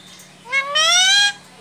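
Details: Pet Indian ringneck parakeet, prompted by its owner to talk, answers with a single drawn-out, nasal, rising call lasting nearly a second, rich in overtones, in a quiet indoor setting.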